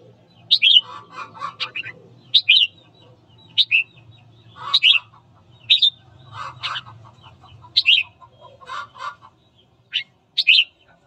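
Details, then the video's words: Morning singing of a red-whiskered bulbul to incite fighting: around nine short bright whistled phrases, often followed by lower chattering notes, delivered in an uneven run over a faint low hum. "Luyện giọng chào mào hót sáng kích bổi đấu"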